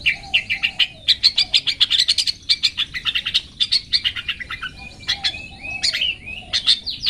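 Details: Tutor song of a long-tailed shrike in 'toet toet' style for training pet birds: a dense, rapid run of high chattering notes, nearly continuous, with a few slurred whistles and a soft lower warble near the start.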